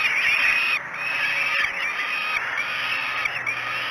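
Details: Young falcons at Great Spirit Bluff calling at breakfast time, 06:54, 5 June 2016; rasping, sustained begging screams, one louder bent note at the start, then a steady overlapping chorus of hoarse wails.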